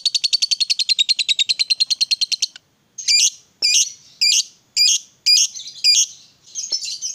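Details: Lovebird, a fighter-type bird, played to prompt other lovebirds to sing: a long fast chattering trill of rapid high notes for over two seconds, then a pause and a series of harsh, loud, squeaky bursts about every half second.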